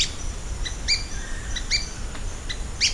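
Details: Ochre-bellied flycatcher uttering crisp, squeaky double-toned chips in an uneven series, about five in three seconds, set against constant insect buzzing in the background.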